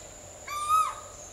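An Asian koel gives a single clear, hooting note, steady and slightly rising at the end, over a faint, constant high-pitched insect-like hum.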